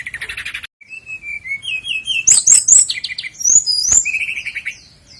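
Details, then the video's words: Flycatcher (sikatan londo) sings a quick, varied song: a buzzy opening trill, then thin whistles and sharp high chirps rising and falling over a few seconds. "masteran burung sikatan londo"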